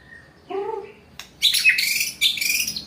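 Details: White-rumped shama in challenging song: a few soft, low slurred notes, then a pause, a sharp click and loud, rich, rapidly warbled high phrases in two forceful bursts, in a quiet setting.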